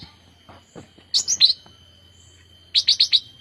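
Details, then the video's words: Young bulbul, known locally as cucak rante, a fledgling just learning to sing: soft scratchy notes, then a quick cluster of three high sharp chirps and a later run of four, over a faint steady tone. "cucak Rante trotolan baru belajar bunyi"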